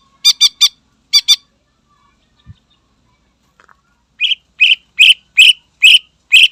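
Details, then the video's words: Leafbird song intended to provoke rival males: a burst of rasping doubled and tripled chips, a short pause, then a steady run of six clear whistled notes repeating roughly every half second. "Suara Burung Cucak Ijo Gacor Istimewa Membakar Emosi Lawan"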